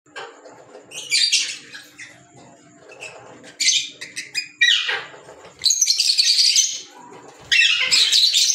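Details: Green Fischer's lovebirds, kept as pets, giving shrill, high chirps and squawks in bursts of one to two seconds, separated by quieter gaps with softer background chatter.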